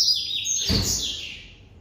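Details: Brief phrase from a white double-collared seedeater held by an amateur breeder: a high, hissing sweep of notes that fades quickly, with a soft thump partway through.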